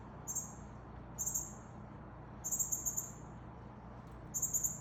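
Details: Northern cardinal, with a male feeding a fledgling: very high, thin bursts of rapid chips, each under half a second, coming every second or so over a low, steady background hum.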